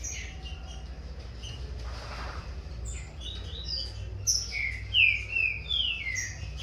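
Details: Young green-winged saltator of corvo x fogueira lineage in a song contest with its father, kept in captivity: faint chirps at first, then a brisk burst of sharp falling whistles near the end, with a low background hum.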